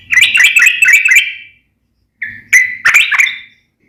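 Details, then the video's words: Sooty-headed bulbul (trucukan) singing energetically in the nembak ropel ngeplong style: a fast, rolling chain of liquid notes, a pause, then a single drawn-out whistle and a few choppy phrases. "KICAU SUARA trucukan gacor NEMBAK ROPEL NGEPLONG"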